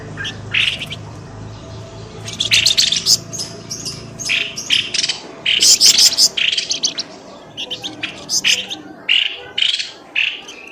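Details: Bird lure call, pelamboyan ribut style, used to pull birds out of thickets: busy clusters of shrill chirps and brief stuttering trills, some louder bursts near the middle, over a faint low hum.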